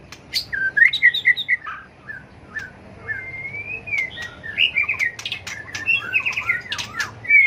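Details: White-rumped shama competitive fighting song while flicking its tail, used in bird training: varied whistled notes, a long smooth rising whistle, then rapid warbling interspersed with crisp clicks.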